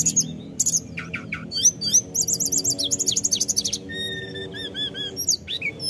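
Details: Energetic 'gacor ngerol' singing by a snowy-browed flycatcher: sharp descending sweeps, a fast buzzy trill, then even repeated arched notes, with a faint low humming drone behind.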